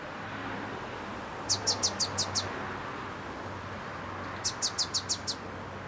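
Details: Small bird singing on a branch: two short bursts of six high, sharp descending chirps in quick even succession, separated by a pause of about two seconds, over steady broadband background hiss and low rumble.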